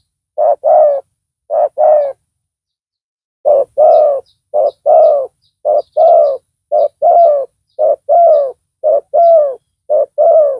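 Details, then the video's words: Spotted dove calling as a decoy for luring a rival, described as big-voiced: a long series of deep coos in regular short-long pairs after a brief pause, with faint high chirping behind. "Pikat tekukur tapau Bl suara besar"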